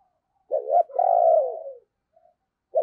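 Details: Spotted dove used as a decoy to call in wild doves in the morning. A short two-part note leads into a long, smooth, slightly falling coo. There are no other sounds.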